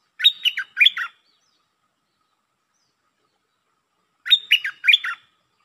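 Red-whiskered bulbul giving two bright, bubbly phrases of three or four quick whistled notes each, about four seconds apart, with silence between.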